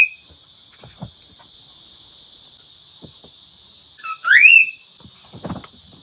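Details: A pet cockatiel, kept with others, gives one bright, upward-sweeping whistle, preceded by a brief high note and soft clicks, over a steady high hiss of background noise.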